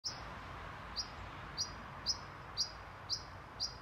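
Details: European pied flycatcher parent near a nest box of nestlings at Haga, Sundsvall, Sweden, 20 June 2023, warning its young to stay quiet: short sharp high ticks repeated about every half second, seven calls, over steady low background hiss.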